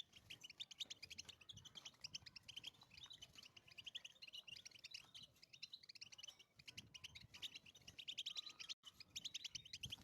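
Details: European goldfinch in the wild, delivering a long, fast, jangling warble of high twittering notes, buzzy trills and rising chirps without pause, over faint low background rumble.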